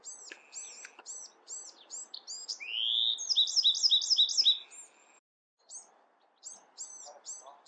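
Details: Bewick's wren singing: a run of short high chirpy notes, a rising slurred whistle, then a fast buzzy trill of repeated notes, followed by a pause and more scattered high chirps over faint low background noise.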